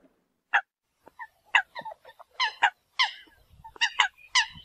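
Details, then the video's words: Scattered, then quickening, sharp nasal calls of a Eurasian coot calling the flock, with some notes overlapping and faint low noise at the end. "Tiếng kêu của Chim Sâm Cầm || Chim Sâm Cầm gọi đàn"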